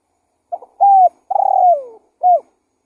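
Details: Single phrase of a spotted dove used as a lure, calling lively: a faint stammer, a clear level coo, a long vibrating note sinking downward, and a last short coo, clean and quiet behind it.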